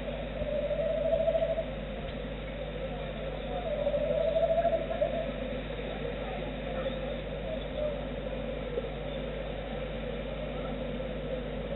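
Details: A roosting tawny owl answering a call from its mate gives two drawn-out, slightly wavering hoots about three seconds apart, over a low, steady background hum.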